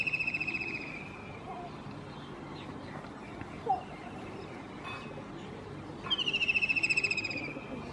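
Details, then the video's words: White-throated kingfisher on a roof, singing: a fast, shrill, rattling trill fades out at the start, then after several seconds of low background noise a second loud trill begins high and steps slightly down in pitch for about a second and a half. "זמר על הגג שלדג לבן חזה מזמר על הגג Singer at the roof white throated kingfisher"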